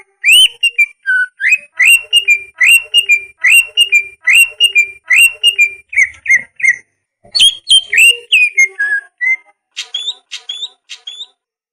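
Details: Greater green leafbird master song for lazy or molting birds: a run of repeated rising whistled phrases about one per second, then a varied jumble of sharp chirps and slurred whistles.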